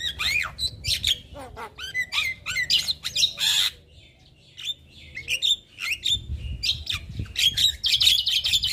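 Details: Javan myna in continuous lively chatter for bird training: harsh squawks, whistles and clicks, a brief lull, then a dense buzzy stream of mixed notes.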